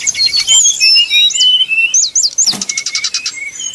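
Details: Brown-chested jungle flycatcher singing in the 'nyuling' style as a lure to provoke rivals into singing: quick high slurred whistles and squeaky phrases, then a fast buzzy repeated trill near the end.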